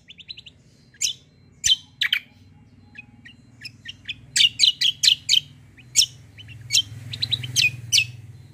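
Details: Fighter white-eye singing a 'kombo' style song as tutor material: varied bursts of sharp, high chirps and thin twittered notes, in irregular clusters with brief pauses, over a low hum.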